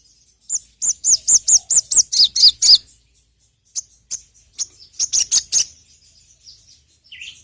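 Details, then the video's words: Sogon, or crimson sunbird, singing as a lure call. About eight clear, high, evenly spaced notes, each sharply downslurred, are followed by a pause, then a quicker cluster of high chirps and fading twitters. "PANCINGAN BURUNG SOGON TERAMPUH SEPANJANG MASSA..!"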